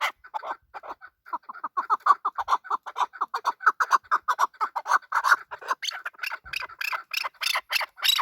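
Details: Male chukar partridge clucking in a fast, regular series of chuck notes that builds in strength, then shifts into harsher, scratchier calls at the close.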